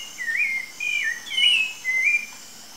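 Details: Rufous-bellied thrush singing free in the wild in Brazil: four mellow whistled notes, rising slurs and one higher held phrase, evenly spaced, with a faint insect drone in the background.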